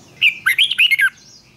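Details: Red-whiskered bulbul, a trained competition bird, delivers one short loud phrase of six rapid, bright, twisting whistled notes in under a second.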